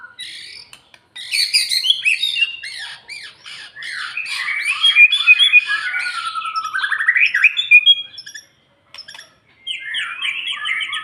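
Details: White-rumped shama after its moult, singing to build up fighting spirit: a rich, fast medley of sweet whistles, rising and falling slurs and chattering notes, with a brief pause near the end before the phrases resume.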